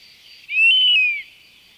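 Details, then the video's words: European honey buzzard calling in nature: one drawn-out, plaintive whistle lasting under a second, rising slightly, then arching down at its close, over a steady high hiss of insects or background noise. "la Bondrée apivore"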